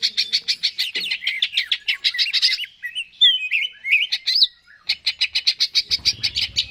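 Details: Greater green leafbird gacor song meant to motivate a bird to sing: dense rapid chirping, a middle passage of twisting whistles, then fast chirps resume.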